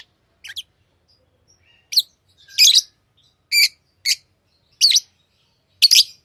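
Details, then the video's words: Pet lovebirds chirping: short sharp high chirps and buzzy squeaks spaced about once a second, with a cleaner thin note between, otherwise quiet background. "Love birds Sounds | lovebirds chirping sounds"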